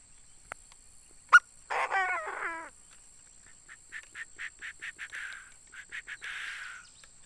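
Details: Caged decoy Chinese francolin calling: one grating, wavering phrase of about a second, followed by a long run of short, evenly spaced higher chirps and a final buzzy burst, with a sharp click near the start.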